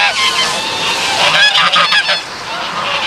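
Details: Canada Geese in Maryland honk loudly, nasal two-toned honks tumbling over one another about three a second, as from a busy flock.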